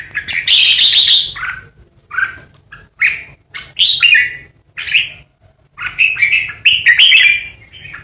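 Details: Caged decoy red-whiskered bulbul kept for singing contests, giving its 'ché' song: bright whistled, warbling phrases with short pauses between them, about eight bursts, some sweeping down from high, fluty notes.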